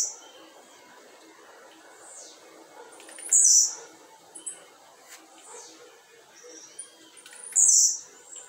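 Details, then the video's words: Blue-black grassquit placed outside at 5:15 pm on a Tuesday by its keeper. Two bright, high, buzzy notes about four seconds apart, with scattered faint chips and light background noise. "TIZIU LUXO TOP ASSIM COMO VC NUNCA SHOW SEUS CANTOS SUA FIBRA CURTA"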